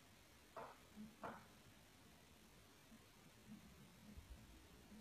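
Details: Quiet indoor background with two short sharp knocks early on and a faint low hum, no animal voice.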